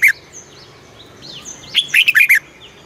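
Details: Red-whiskered bulbul in Thailand, song played to stimulate caged birds; a brief note, then soft thin whistles in the background, ending in a rapid cluster of bright, slurred warbled notes.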